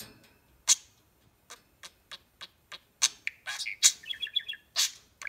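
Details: Pet budgie meeting a new budgie companion indoors for the first time; a string of sharp dry clicks and short chirps, then a brief warbling chatter and a few more loud clicks.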